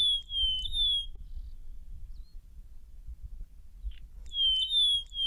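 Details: A male and female rosy-patched bushshrike in Djibouti duet, alternating clear, high whistled phrases back and forth in two bursts, opening and closing, over a low background rumble; Rosy-patched bushshrike.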